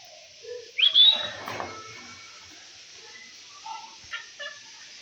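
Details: Pet talking green ringneck parrot eating fruit indoors: one shrill, rising squawk, then a few faint, soft chatters and clicks against a quiet background.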